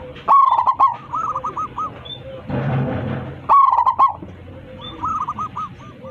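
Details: Two loud bubbling coo phrases from a local zebra dove calling to its flock, each followed by softer runs of hooked coos; a brief rushing noise occurs between them.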